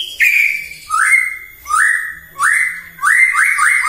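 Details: White-rumped shama song, a morning bait recording meant to rouse other shamas into full singing: loud rising whistled notes near two kilometres' pitch, each sliding upward then holding, repeated roughly every half to three-quarters of a second.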